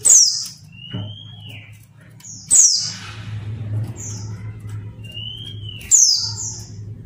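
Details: Female Mountain White-eye calling so that lazy males and wild-caught birds answer quickly: three sharp descending high chirps spaced a few seconds apart, with thin arching whistles and short high notes between them, over a steady low hum.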